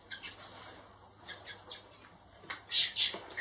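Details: Four hand-raised young blackbirds, kept until release, give quick shrill squeaks in two short bursts, separated by a near-silent pause of about one second.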